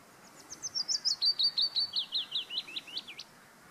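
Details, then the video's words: A willow warbler sings in the Auld Haa garden on Fair Isle, a soft, sweet phrase of about fifteen quick notes sliding gently down the scale over three seconds and ending with a brief flourish. "Singing Willow Warbler"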